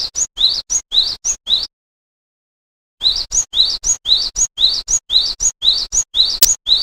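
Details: Glatik wingko, the Java sparrow, singing a run of quick upward-sweeping chirps, a pause of over a second, then the same steady chirping resumes with one sharp click near the end.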